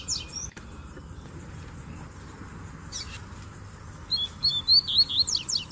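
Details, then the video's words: Double-collared seedeater males singing as a female crouches to solicit mating. After a few faint scattered chips and a click comes a loud closing phrase of quick whistled slurs rising into high, buzzy upswept notes. "Baderna de Coleiros Cantando e Fêmea Baixando Gala"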